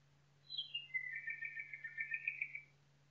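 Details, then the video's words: Forest nightingale song over a steady low hum: two falling whistled notes drop into a long, throbbing trill of rapid, evenly pulsed notes lasting almost two seconds. "Пение Соловья в лесу Singing Nightingale in the forest"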